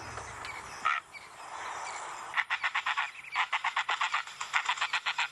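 Woolly-necked stork: a brief faint note, then a quick run of dry, clattering pulses, about five a second for three seconds, over a steady outdoor hiss.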